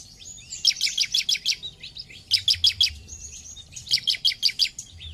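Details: Bar-winged prinia (ciblek) in lively song used to stimulate other ciblek birds to sing: bursts of five or six rapid high buzzy notes, repeated about every one and a half seconds, with thin whistled notes between.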